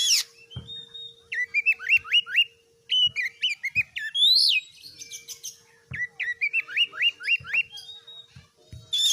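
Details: Oriental magpie-robin (kacer) singing strongly: rapid sets of repeated whistled slurs, a loud high swooping note, and varied chatter, with a steady faint electrical hum and occasional soft clicks.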